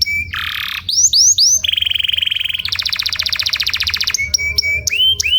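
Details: Training song of a canary, mixing high upward-slurred whistles with fast buzzing trills of about twenty notes a second and a lower harsh rattle, all delivered loudly and continuously.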